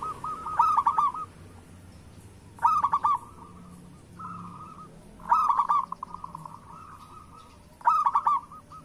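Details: Local zebra dove singing a lure song meant to prompt other doves to sing. Four loud, mid-pitched cooing phrases, each a quick stutter of three or four notes, come about every two and a half seconds, with softer rolling coos between them.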